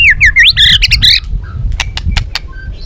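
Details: White-rumped shama, balak 6 style, played as a lure for catching birds: a brisk series of bright zigzag whistles and chattered notes, then a few sharp clicks over low rumbling noise.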